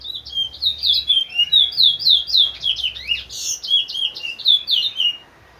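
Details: Large-billed seed finch (towa towa), kept as a teacher bird for training other birds, delivering a fast, sustained run of high, clear chirped and slurred notes, about four per second, with a brief harsher burst midway.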